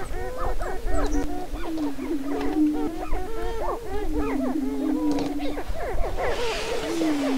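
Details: Many Greater prairie-chickens displaying on a northwest Minnesota lek near Crookston on April 27, 2013, spring mating dance: dense overlapping cackles and yelping whoops above a sustained low booming drone, near-constant chatter.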